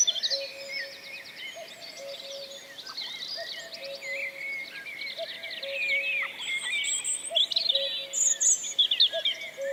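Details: In Wales during April 2004 a Common Cuckoo repeats its low, falling two-note call about every two seconds, quiet but steady, while many high songbirds trill, chatter and whistle over it throughout.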